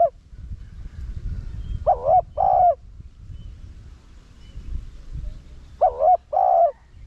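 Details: Spotted dove cooing 'thúc' style, 'rặc đồng' voice, to attract wild doves: two clear paired phrases about four seconds apart, each a curved short note and a longer steady note, with the tail of another phrase at the start.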